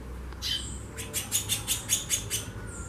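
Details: Female White-bellied seedeater calling at length: a rapid, even series of about seven harsh, scratchy chips, roughly five per second, with a thin whistled note at the end and low background hum.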